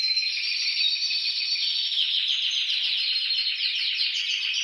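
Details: Canary song meant to prompt other canaries to sing: continuous loud trilled warbling, fast rolling notes held high and steady throughout with a slight rise near the end.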